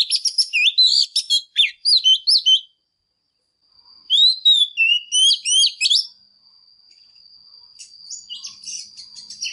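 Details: A female Oriental magpie-robin, whose song is played to stimulate males, sings rich, fast whistled phrases in two bursts of sweeping, varied notes, followed by a thin, steady high whistle and faint chatter.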